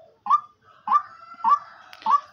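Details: Female partridge kept as a hunting decoy bird; four short, loud, nasal calls with a slightly rising start, repeated about every 0.6 seconds, in an otherwise quiet setting.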